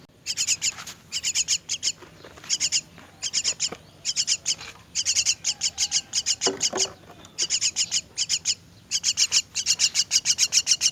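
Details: Feeding time for myna chicks: intense, rasping high-pitched begging calls in rapid, pulsing bursts, nearly continuous with brief gaps, loud throughout.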